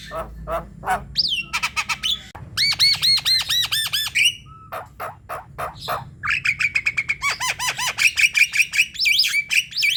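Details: Lively Javan myna song, used to lure other mynas into singing: a varied, fast medley of harsh notes, upswept whistles and rapid runs of repeated ringing arched notes, ending in high, chattering phrases.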